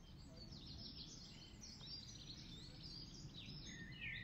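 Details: Goldfinch feeding at RSPB Ham Wall, UK, 15 May 2023, giving quick high twittering with sliding chirps, ending in a clearer whistled note, set against steady low background hum.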